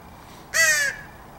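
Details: Crow from a family visiting to be fed in the morning, 9/10/2014, giving one loud, rasping caw that dips slightly at the end, with quiet background hiss and a man's voice nearby.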